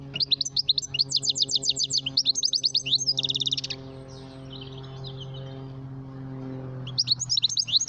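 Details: Goldfinch calling: fast, high, tinkling twitters in tight repeated bursts for three seconds, a short buzzy rattle, a pause with soft chatter, then the bright twittering returns, over a steady low hum.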